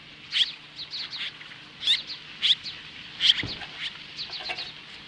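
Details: Osprey at its nest near Lolo, Montana, in Hellgate Canyon, standing off magpies at 10:26 AM on July 15, 2015: sharp, high whistled chirps repeated roughly every second, with softer chirps between them and a faint steady hum below.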